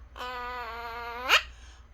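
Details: Pet parrot indoors talking, saying "mom" in Korean: a long, steady, nasal voiced tone held about a second, then sweeping sharply upward into a brief harsh burst at the end.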